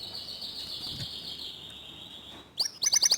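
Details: Canary song meant to stimulate other canaries to sing: a long, fairly quiet high sustained buzzy trill, followed by a burst of loud, quickly repeated sharp chirps at the end, over light background hiss.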